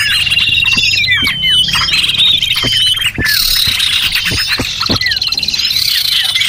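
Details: Lure sound for small birds: many birds chattering with sharp high chirps and a long thin whistle early on, broken by scattered clicks and snapping taps.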